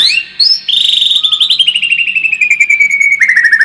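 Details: White-rumped shama song used as a lure for a fighting mood: a long trill of rapid repeated notes sliding slowly downward in pitch, opening with a brief rising whistle.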